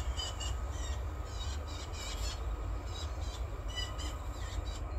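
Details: Eurasian magpie calling: a quick series of short, harsh squawking notes with a rough, grating edge, repeated steadily for five seconds over a constant low rumble of background noise.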